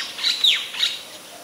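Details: White-vented myna in Ubon Ratchathani, Thailand, recorded 26 December 2020: two loud, harsh, downward-sweeping squawky notes about half a second apart, against faint background hiss.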